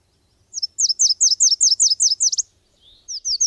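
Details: A Subalpine warbler (Sylvia cantillans) delivers a quick string of about ten high, down-slurred chips, briefly pauses, then starts another high burst of notes.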